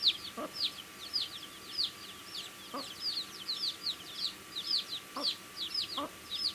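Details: Baby chicks eating food, giving rapid high downslurred peeps, close to two per second in an uneven stream, with a few soft low knocks and a steady faint hum.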